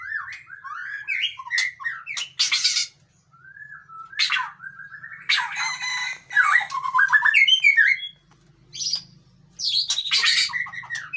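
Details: White-rumped shama, Murai Aceh, a tough male, in long varied song: liquid whistled phrases broken by harsh rasping bursts and quick trills, with short pauses and a faint low hum in the background.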